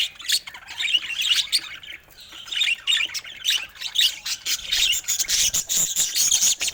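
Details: A colorful group of pet budgerigars squawking and chirping in rapid, overlapping phrases, the chatter growing denser toward the end.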